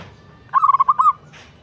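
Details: Local zebra dove (perkutut) giving a brief, rapid trill of about seven bubbling coo notes in one short phrase, with quiet surroundings before and after.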